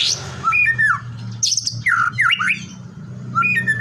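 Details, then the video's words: White-rumped shama song meant to set other shamas singing: strong whistled notes sliding down and up, harsh high squawky bursts between them, and a steady low hum beneath. "LANGSUNG TRPANCING GACOR, HITUNGAN DETIK MURAI LAIN AUTO IKUT BUNYI"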